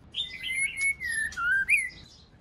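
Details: Female white-rumped shama calling so that the male will sing. A short run of smooth whistled notes slurs gently downward, then ends on a sharp upward flick.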